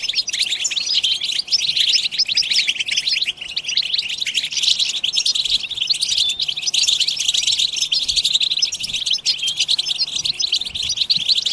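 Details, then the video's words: European goldfinches in a group chorus of the twittering style called bitbita, played to stir other goldfinches into song; dense, continuous high tinkling trills and chirps overlap throughout, with rapid buzzy notes and no pauses. "بتبتة جماعية تجنن الحسون_بتبتة لتحفيز الحسون حتى الهيجان_اقوى بتبتة جماعية لتحفيز الحسون على التغريد"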